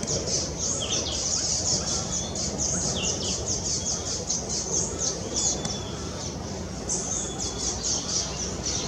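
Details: Common waxbills (Estrilda astrild) in the Brazilian Amazon give a steady twitter of very high, thin, short notes, several birds calling over one another, with a low rumbling background noise.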